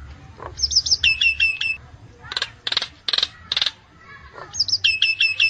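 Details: Myna lure sound for trapping: bursts of quick chattering notes, then several harsh, broadband rasps, before another run of sharp chattering notes.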